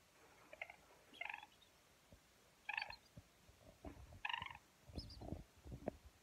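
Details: A 4-week-old yellow golden pheasant chick, held and cuddled, gives short, bright chirping peeps, singly or in quick pairs about every second or two, over low thumping and rustling noises.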